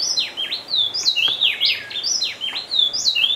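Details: A Speckle-breasted Wren (Pheugopedius sclateri) at Bonita Farm Biopark, Dosquebradas, Risaralda, Colombia, sings loud, ringing whistled phrases of swooping, sliding notes, several a second, repeating a rollicking pattern without pause.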